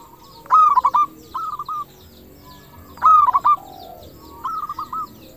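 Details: Crystal-voiced local zebra dove in active song, a lure meant to make other doves answer. Two loud, rapid stuttered coo phrases roughly two and a half seconds apart, each trailed by a softer purring trill.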